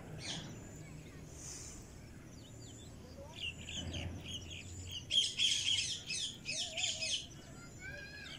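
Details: Pet cockatiel starting with soft scattered chirps, then breaking into a loud cluster of rasping squawks, followed by a brief wavering note and a few quieter chirps, over faint low hum.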